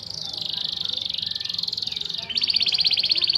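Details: Canary song used to train other birds, a continuous rapid high trill that steps up in pitch after about two seconds, over faint background noise.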